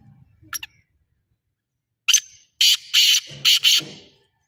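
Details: Black francolin, known locally as kala teetar, giving its call: a sharp opening note, then after a short pause a loud, harsh, grating run of four buzzy bursts, the last two closely paired, against quiet surroundings.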